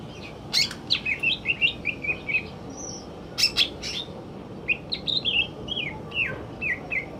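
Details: A male greater green leafbird sings in the afternoon, pouring out rapid, slurred whistled notes in quick succession, a short pause, then another rolling string of bright, downward-curving whistles.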